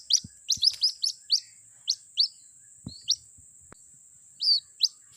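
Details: White-breasted waterhen chick calling its mother as a trapping lure; a cluster of high rising peeps, then sparser single notes and a longer wavering chirp, over a constant thin whine with a few clicks.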